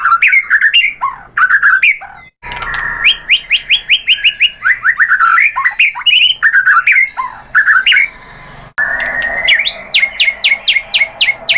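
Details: Lure song of a white-rumped shama, meant to provoke rival birds into singing. A long, varied, melodic stream of whistled phrases, slurred notes and rapid chip bursts, broken by two short abrupt gaps.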